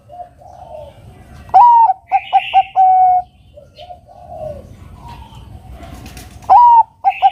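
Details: Zebra dove of the Bangkok type, singing to provoke a rival to sing. It gives a sharp rising note, a rapid series of short cooing pips and a sustained level coo. A second phrase begins at the close, with faint background chatter.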